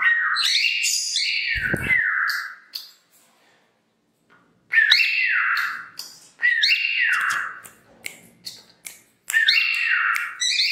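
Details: Pet female cockatiel headbanging to her own whistle song indoors: bright, slurred whistles with harsh harmonic edges in bursts, a pause of about two seconds, then several more descending phrases; faint clicks between notes.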